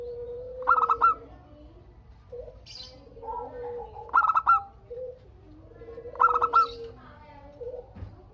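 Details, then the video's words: Singing local zebra dove, played to draw replies from other doves: three bursts of clipped, rolling coo notes roughly two seconds apart, with softer long coos and faint chirps between them. "Perkutut Lokal Gacor Untuk pancingan kutut perkutut agar saling bunyi BERSAUTAN"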